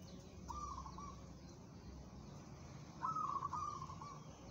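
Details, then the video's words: Local zebra dove for competition singing, two separated bursts of bright, fluttering coo notes, the second louder and longer, against a low rumbling background. "perkutut lokal bermental baja, cocok buat lomba"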